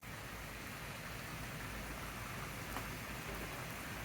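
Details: Steady rain hisses on surfaces as a constant wash of noise, with no animal voices.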